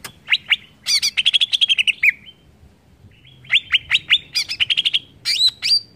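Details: Greater green leafbird song meant to provoke other leafbirds: two loud bursts of rapid, sharp chirps and quick rising whistles, with a short silent gap between them.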